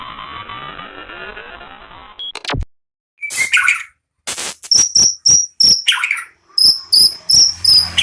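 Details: Caged white-rumped shama of a national champion bloodline, singing prolifically: after low background noise, sharp scratchy notes and loud bursts repeat about three times a second, with high clear tonal whistles interleaved.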